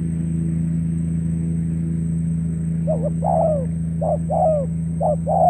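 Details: Spotted dove lure bird for trapping, recorded in Cà Mau, Vietnam, 21 February 2024. After a quiet start come repeated two-part coos: a brief note, then a drawn-out falling one, about once a second. A constant low electrical hum runs underneath.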